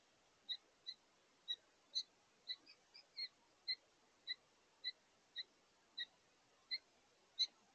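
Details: House finch pair at a feeder, August 2023, calling to each other while taking their last meal of the day: thin high chirps repeated about every half second, fairly even, over quiet background hiss.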